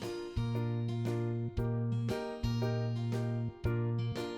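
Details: Cheerful piano or keyboard music plays steady chords with repeated notes, and no animal is heard.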